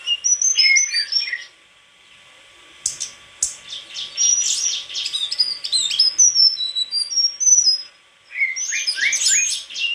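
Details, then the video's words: White-throated flycatcher song: bright, high whistled notes and short rising and falling slurs, delivered in bursts with brief pauses and a quieter gap in the middle. The song is said to match other songbirds. "Sikatan krongkongan putih suara gak kalah sama burung kicau lain"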